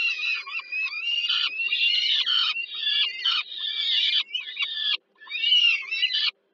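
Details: Begging peregrine falcon chicks fed by the mother at dinner, Żerań, Warsaw, Poland, July 2022; nearly continuous grating, wheezy screaming in long phrases, a short pause, then one last whining burst; faint hum throughout.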